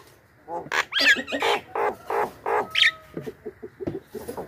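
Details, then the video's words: Javan myna lure sound used to draw in wild mynas: a run of harsh, grating squawks about four per second, a few with a rising whistled edge, then softer clipped chattering notes toward the end. "suara burung pikat jalak kebo gacor,suara pas untuk pancingan jalak ombyokan,responnya cepat"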